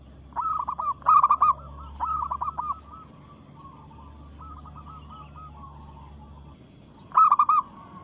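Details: Zebra dove of local stock, in breeding condition, calling to challenge rivals: bursts of rapid stuttered coos, a quieter drawn-out series in between, and a final loud cluster, with a steady low drone underneath.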